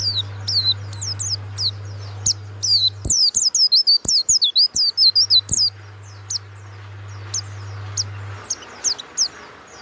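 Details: Kept warbling white-eye of the Banyuwangi type, valued for a loud, clear open voice, delivering rapid high, thin, twisting whistles run together into a dense chattering phrase, with sharp clicks and an intermittent low hum behind.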